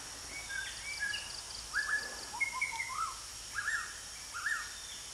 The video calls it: WHITE RUMPED SHAMA